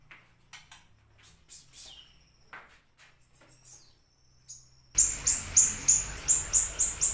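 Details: Siri-siri bird in active song for luring and tutoring: faint scattered high notes at first, then a loud run of short high chirps repeated about three times a second.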